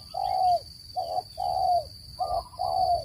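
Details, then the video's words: Close, loud spotted dove coos for bird trapping: a long falling coo, a short coo, another long one, then a further short-long pair, over a steady high whine. "Tiếng chim cu gáy dùng để bẫy chim,giọng chuẩn không tạp âm"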